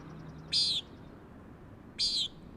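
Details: Common nighthawk recorded from a granite ledge on Schoodic Head on a high surf day. Two short, buzzy, nasal peent notes come about one and a half seconds apart over a steady rumble of waves crashing on the rocks.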